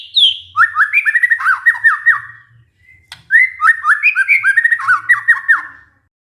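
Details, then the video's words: Shama lure song for stressed birds that have stopped singing: a high falling whistle, then two rich phrases of rapid, varied whistled notes dropping in pitch, separated by a short quiet gap with a faint click. "pancingan murai batu macet bunyi karena stres"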